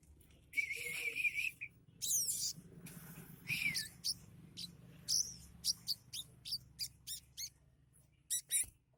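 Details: Sunbird, a kept bird, singing a varied song of imitations of other birds such as sparrows and prenjak lumut: high thin whistles, rising slurs and quick chirps in bursts, with a faint low hum behind.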